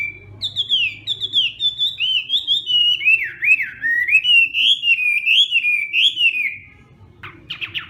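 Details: Hwamei singing at morning voice practice in fighting style: one long unbroken stream of loud, wavering whistles that climbs and dips continuously for about six seconds, then fades before a brief burst of sharper notes returns.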